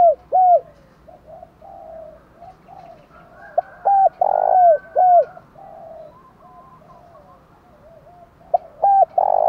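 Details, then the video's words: Spotted dove cooing in the 'thúc gù' style meant to excite wild and decoy birds. Hooked, mellow coo phrases rise to a drawn-out loud note, with softer background cooing from another dove between the bursts. "cu gáy thúc gù kích thích chim bổi và mồi rất nhạy gáy"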